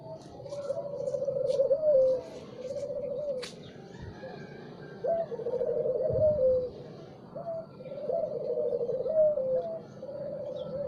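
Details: Spotted dove singing in the morning: low, mellow cooing phrases, each a throaty warble ending in a drawn-out note, repeated about every three seconds over a soft background hum.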